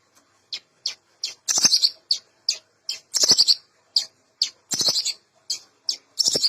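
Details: Varied long-tailed shrike song, used to stir silent shrikes into singing: short, sharp high notes about every half second, mixed with longer scratchy chatters.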